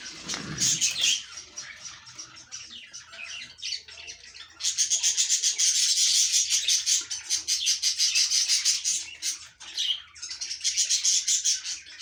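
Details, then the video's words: Breeding budgerigars chattering, with fast high chirps and scratchy warbles that grow louder and busier partway through, then pause briefly before resuming. "Budgies Breeding Progress"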